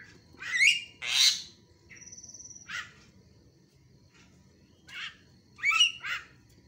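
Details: Javan myna lure recording, played to provoke silent mynas into calling again: loud, harsh, rasping squawks in short bursts, with a brief steady whistled tone between them and a soft low background hum.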